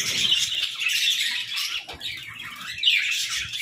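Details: Playful budgerigars in an aviary give dense, continuous flock chatter: overlapping warbles, chirps and squeaky twitters, with brief louder squawks near the start and end.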